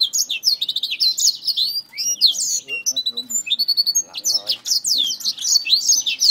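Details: Black-throated finch fighting a finger, with bursts of high, shrill chirps and slurred whistles, briefly broken by softer lower sounds before the excited chirping resumes.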